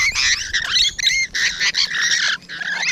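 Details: Rainbow lorikeets heard close by on a June 2017 morning: loud, harsh screeching in near-continuous grating bursts, each lasting about a third of a second.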